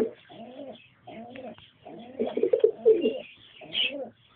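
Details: Pigeons, a pair with a youngster: a series of throaty coos in separate bursts, the middle phrase louder and more excited, with a brief high squeak near the end.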